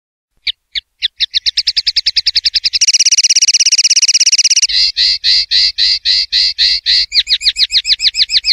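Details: Common linnet delivering the "pardillo limpio" clean song style, taken from a 2021/2022 CD: accelerating chirps run into a rapid buzzing trill, followed by rhythmic rolling phrases and fast twittering notes.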